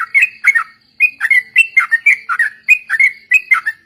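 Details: Yellow-vented bulbul lure song for training other birds, crowded group-chorus style: quick, bubbly, liquid whistled notes tumbling in short rapid phrases without pause.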